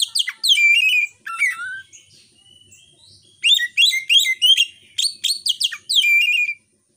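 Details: White-rumped shama, phone-recorded lure song to boost emotion and breeding drive in other shamas; varied whistled phrases and a falling slurred note, a quiet gap, then a rapid series of bright chirps ending in a held whistle.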